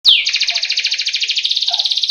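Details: Canary training song played to get birds singing: a short rising note, then a long rapid rolling trill of evenly repeated high buzzy pulses lasting about two seconds.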